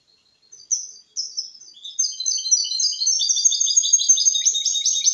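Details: Hybrid goldfinch and canary mule singing its clean Malaga copy, meant to get males singing and help chicks memorise; soft opening notes lead into an accelerating, loud stream of high twittering trills.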